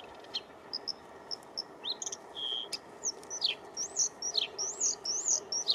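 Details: A Bluethroat's spring song: a varied, high-pitched stream of sharp chips, ringing whistles and quick up-and-down sweeps, quickening toward the end, over steady background hiss.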